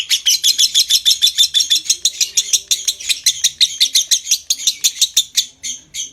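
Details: Lovebird ngekek song used to stimulate breeding condition: a sustained, grating chatter of quick high notes about three per second, slowing slightly toward the end.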